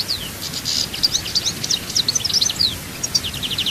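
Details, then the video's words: European goldfinch singing at Souk Ahras: a rapid, unbroken twitter of high, liquid chirps and short buzzy trills, running through the whole stretch, with a faint low rumble beneath. "chant chardonneret"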